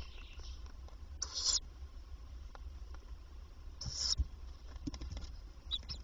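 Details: Daytime recording from a tawny owl nest box as the female comes in repeatedly to feed the young; two breathy, hissing screeches roughly two and a half seconds apart, with light scratching and ticking between.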